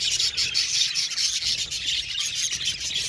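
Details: Flock of budgerigars in an aviary, rapid high chirping and buzzy warbles overlapping in a dense, steady chorus.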